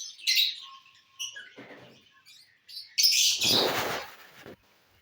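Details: Lovebirds eating corn on the cob, giving short high chirps and squeaky calls in scattered bursts, with a loud harsh rustling burst midway and quiet gaps between.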